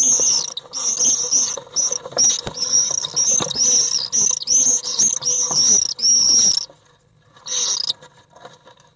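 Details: Common swifts in their nest box clash with an intruder on 1 July 2012: a burst of rapid, rasping high screams for about six seconds, then quiet, followed by one last short scream.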